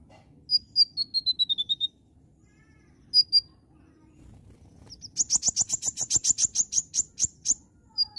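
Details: Oriental magpie-robin in energetic full song: clear descending whistled notes, a pair of sharp high notes, then a long fast run of rapid buzzy trilled phrases, ending with a final whistle.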